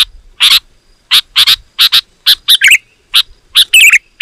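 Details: Sooty-headed bulbul, loud and rapid gacor song played to lure wild birds. Spaced bursts of harsh, buzzy chirps, often paired, ending with bubbly, wavering warbled phrases.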